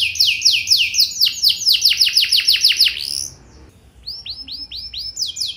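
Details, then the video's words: Canary song used to prompt other canaries to answer: brisk descending whistled notes repeated steadily, a brief pause, then softer arched notes rising again. "Burung Kenari Lain Bakal Langsung Nyaut! Pancingan Burung Kenari Lagu Mewah Cengkok Joss"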